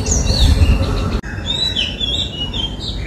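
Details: In Sri Lanka an Oriental magpie-robin (polkichcha), captured on a Nikon COOLPIX P1000, pours out quick, varied chirps and bright whistled slurs, roughly three or four notes a second. Low rumbling background, broken once by a sharp click.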